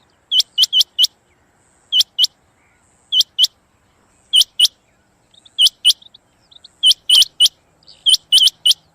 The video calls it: Female Rain Quail Sound//چنگاہ مادی کی آواز